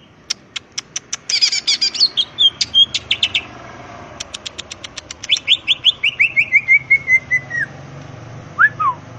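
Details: ['Greater green leafbird in ngentrok song with raised crest: spaced high ticks, a buzzy warbled burst, more ticks, then a long descending series of slurred chirps, over steady low background noise.']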